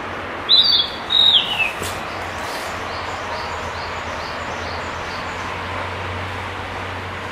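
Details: Narcissus flycatcher in song at Kiyosato, 15 July 2012; a pair of high clear whistled phrases, the second dropping in pitch, then faint repeated distant notes over steady low rumble and hiss.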